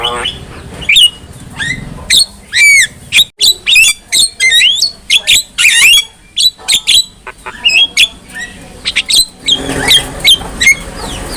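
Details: Black-winged myna singing as a training model for other mynas: a busy run of sharp whistles, harsh squawks and slurred notes, delivered in rapid uneven bursts with short gaps over several seconds.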